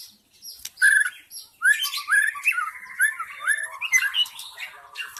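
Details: White-rumped shama from the wild forest, singing as a lure for wild shamas: rich, continuous warbling with rapid trills, squeaky chirps and rolling whistled phrases.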